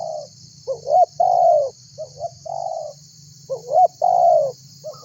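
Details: Spotted dove calling eagerly so that other birds join in, a lure call: hooked rising notes and drawn-out descending coos repeat about every one and a half seconds, with a low humming background and a steady hiss.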